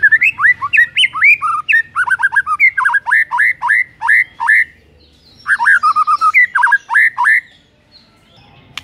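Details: White-rumped shama song used in the morning to provoke a rival shama into singing; loud, rich whistled phrases sliding and looping between low and high notes in quick runs, a pause, then another burst of rapid whistles.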